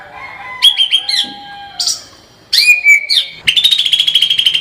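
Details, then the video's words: White-rumped shama in vigorous tembakan song: loud ringing whistled phrases with harsh accents, a pause, then a burst of rapid, even, high-pitched staccato notes. "kicau murai batu gacor full tembakan"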